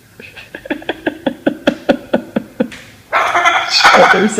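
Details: A Moluccan cockatoo mimics fart noises that people make at him: a quick run of about a dozen sputtering, raspberry-like pops, then a harsh rushing burst, in an echoing front room; a person talks nearby.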